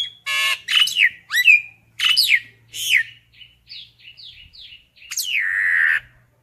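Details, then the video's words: Flock-calling common myna mixing grating squawks and rising and falling whistled notes, then a run of soft, short chirps and a long, harsh descending call. "Tiếng sáo nâu gọi bầy"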